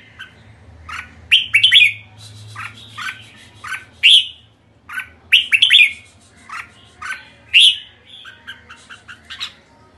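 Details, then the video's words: A red-whiskered bulbul calls kekek, giving lively runs of sharp, bright chattering notes in irregular bursts, some paired and rising, over a faint low hum. "Merbah jambul kekek"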